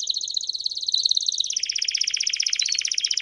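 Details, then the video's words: Canary singing in the campainha style: a fast, high, bell-like trill runs continuously, then drops slightly in pitch into a broader rattling roll. "Canarinho Cantando Campainha Lindo"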